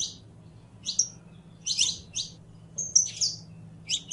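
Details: Saffron finch, the criollo canary, singing: high, sharp chirped notes and short whistled slurs in loose clusters, spaced unevenly about a second apart, over a faint low hum.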